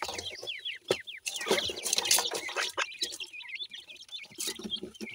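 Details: Francolin chicks chirping in quick, high, downward-sweeping peeps, many birds overlapping, with bursts of rustle and knocking.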